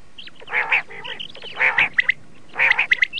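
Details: A red-shaded common quail (laal batir) utters rough, nasal squawking bursts about once a second, each followed by quick high upswept chirps.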